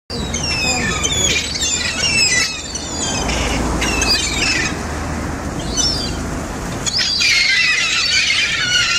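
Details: Gulls at Whitby on the coast calling outdoors: shrill, high, downward-sliding squeals and harsh squawks come in bursts. Strong wind noise and a constant low roar run underneath, with brief faint voices.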